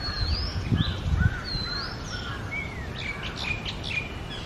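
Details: Oriental magpie-robin, male and female, singing in early morning of the summer breeding season: clear whistled rising and falling slurs, then a burst of quick chirpy notes, over steady low background rumble.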